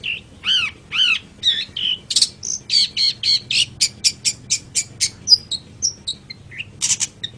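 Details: Long-tailed shrike in a lure recording for training birds: slurred downward whistles open a steady run of harsh, buzzy notes, closing with thin high chips and squeaks.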